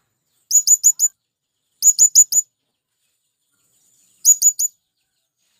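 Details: Male blue-crowned hanging parrot calls out to attract wild birds. It gives short clusters of four shrill, upswept notes, repeated three times with irregular pauses, and a fourth cluster begins at the end.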